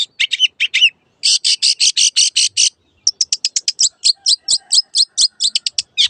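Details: Long-tailed shrike, a master recording for caged birds that have fallen silent or changed owners: harsh repeated chattering notes in quick even runs, about six per second, then a faster series of clipped notes.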